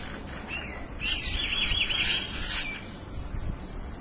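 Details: Birds calling back and forth; a loud, warbling, rapidly wavering trill rises out of background twittering for about two seconds, then fades.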